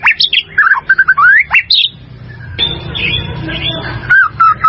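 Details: Caged white-rumped shama song for bird training: quick whistled slurs and rising notes, a pause with low background noise, then a few more whistles.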